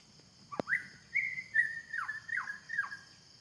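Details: Wild white-rumped shama in forest giving a short run of clear whistled notes around mid pitch, several with quick falling slurs, over a steady background hiss and a sharp click.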